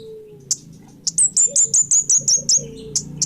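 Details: Orange-headed thrush singing in a lively, full-voiced manner: a rapid run of about eight very high, sharp, clipped chirps, bracketed by isolated single notes, with a soft low hum beneath.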